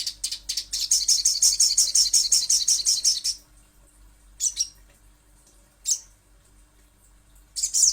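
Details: High, rapid trilling chatter from a little spiderhunter, roughly three seconds of evenly repeated sharp chips, followed by single isolated high notes a second or more apart.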